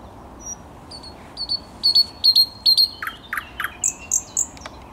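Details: Song of a thrush nightingale on 10 May 2021: a few thin high whistles building into paired clicks, then deep knocking notes and high piping phrases repeated at a quick pace.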